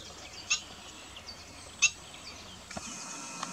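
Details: Black-winged stilt, recorded in 2016, giving two sharp, high yelping notes about a second apart, over a steady hiss with faint chirps from other birds.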